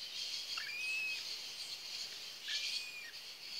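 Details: Cockatiel chicks from a captive breeding pair: a steady high, raspy hiss-like chatter, broken by two thin whistled notes that rise and then level off, about two seconds apart.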